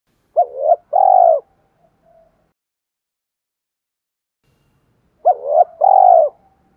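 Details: Spotted dove kept as a lure bird, with a deep 'thổ' voice style, cooing two phrases about five seconds apart. Each phrase is a short double note and then a long, steady, mellow coo, with soft trailing notes after the first.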